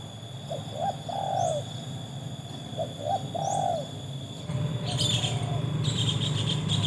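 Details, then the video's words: Spotted dove, a trained bird pitted against wild doves. Two soft phrases of three low coos each, the last note longest, then a louder rushing noise takes over. "kualitas burung tekukur ajaran sudah teruji oleh burung liar"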